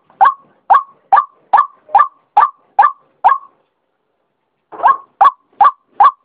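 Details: White-breasted waterhen calling in rapid harsh croaks, about two per second, breaking off for more than a second before resuming the same clipped series.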